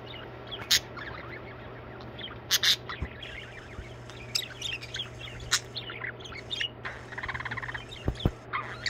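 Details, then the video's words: Budgerigars singing in varied chirps, squeaks and clicks, with a buzzy rattling warble near the end and a few low knocks, over a steady hum. "Budgies singing."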